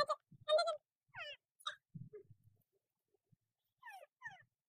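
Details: Talking Indian ringneck parakeet kept as a pet, uttering soft, scattered squeaky syllables with quick rising and falling pitch sweeps, separated by pauses, with faint low murmuring in the room.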